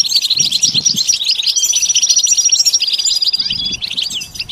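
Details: Goldfinch singing in a fast, jumbled run of bright chirps and liquid trills, with a thin sustained tone in the middle and a few soft low thumps in the background.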